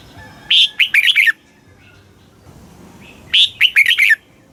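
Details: Red-whiskered bulbul song in a southern master-song style, played to excite caged birds in Thailand: two bright warbled phrases about three seconds apart, each a rising note followed by quick chirpy slurred notes, over faint background hiss.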